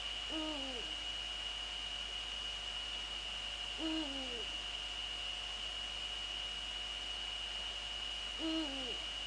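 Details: Eurasian eagle-owls, female at the nest and male nearby, Netherlands, 2 February 2013 at 19:15 in the evening; three deep hoots about four seconds apart, each bending downward at the end, over constant hiss and hum.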